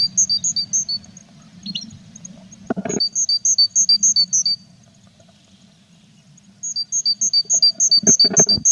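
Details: Tit near its nest box of chicks, April; rapid high thin two-part notes in fast even runs, separated by a quiet gap, with thumps and scraping from the box.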